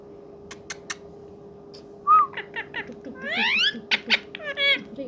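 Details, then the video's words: Friendly talking rose-ringed parakeet kept as a pet, producing a short clear whistle, then buzzy rising meow-like wails and sharp clicks, a steady low hum underneath. "parrot talking"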